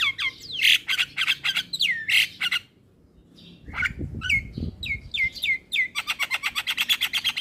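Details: Young male black-winged myna kept in a cage, singing loud harsh squawks that curve downward, a brief pause, then repeated falling whistles and a fast rattling chatter at the close.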